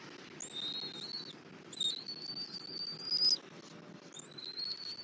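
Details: At a Southwest Florida nest on a February 2024 morning, a female bald eagle feeds her chick after the male delivers a rabbit; three drawn-out high whistles, each slightly rising, with faint background hiss.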